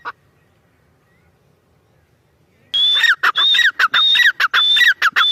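A partridge gives loud, harsh, ringing calls in a rapid, rhythmic series of about ten notes after a quiet start.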